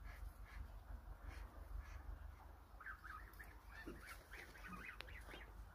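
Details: Hungry flock of about 1000 Muscovy ducks: short nasal honking calls overlap in a busy chorus, thickest in the second half, over a steady low rumble.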